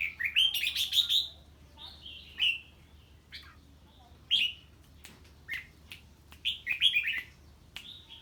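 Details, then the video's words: Red-whiskered bulbul reacting to an unknown bird: a fast chattering burst at the start, then scattered sharp whistled notes and short descending phrases, with faint clicks between. "Chào Mào Hót Ché Khi Nghe Tiếng Chim Lạ"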